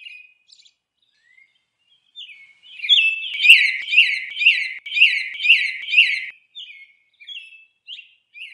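A Northern cardinal sings a rapid run of about eight clear, slurred whistles, roughly two or three per second, framed by softer scattered notes.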